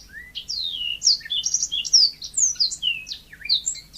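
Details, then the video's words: Steady, lively natural song of a yellow-fronted canary: high slurred whistles sweeping up and down, strung together with sharp chirps at a brisk pace. "Kicau burung mozambik gacor alami"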